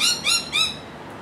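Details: Rainbow lorikeets in Australia, three harsh, rising squawks with strong harmonics in quick succession, the last fading out into quiet background.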